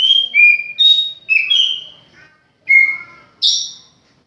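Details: Caged oriental magpie-robin at home singing a sequence of clear separate whistles, some steady, some slurred downward, ending with a higher, rougher note after a brief pause.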